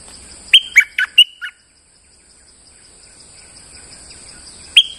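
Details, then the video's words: Bulbul kept as a lure bird, still singing while moulting: a crisp four-note whistled phrase, silence, then the start of another phrase, with a thin continuous high hum. "Suara pikat merbah lekir gacor"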